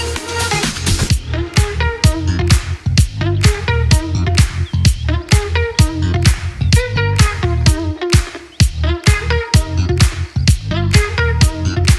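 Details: Upbeat dance music with a steady thumping beat and bright synth chords, with no animal sound to be heard.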